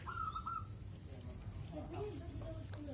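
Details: Zebra dove, kept at a house and said to sing for hours: one brief trilled coo phrase at the start, followed by lower warbling calls of other birds over a constant low hum.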